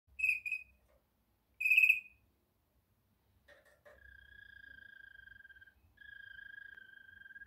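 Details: Waterslager canary, klokkende style singing: two short bright high chirps, a brief broken note, then long even whistled tones held several seconds with fine rapid trill texture, in a quiet indoor setting.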